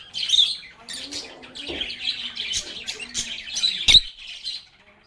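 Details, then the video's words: Several lovebirds singing and talking: a continuous high, buzzy chattering warble with squeaky peaks, a sharp click near the fourth second, and a quiet fade at the close. "Lovebirds agapornis sounds | Relaxing Sounds of Singing, Playing, and Talking Parakeets"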